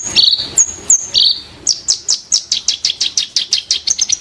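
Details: Ashy tailorbird song bursts: a few piercing whistles and a buzzy phrase, then an even series of about fifteen sharp, downward-sliding chirps given several each second.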